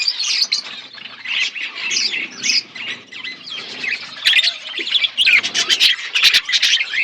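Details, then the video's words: Budgerigars in an outdoor aviary keeping up a rapid, scratchy warbling chatter mixed with sharp chirps and a few clicks, many birds overlapping. "Wild budgies in my outdoor aviary birds chirping sounds"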